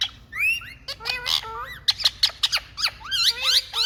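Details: Indian talking rose-ringed parakeets calling loudly: continuous shrill squawks with rising and falling harmonic slurs, several overlapping screeches in quick succession, faint low hum behind.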